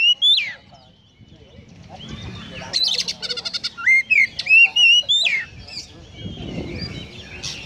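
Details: Konslet-style Oriental magpie-robin song full of sparrow-call mimicry. A loud whistled opening gives way to a fast rattle of repeated clicks, then looping whistles and sharp chip notes in quick succession. Low rumbling background noise.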